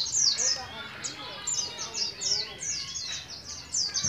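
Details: Young Oriental white-eye from Moga, Pemalang, Central Java, kept caged and starting to learn ngalas ngeroll singing; bright, high, slurred twitters repeated steadily, with faint human voices underneath.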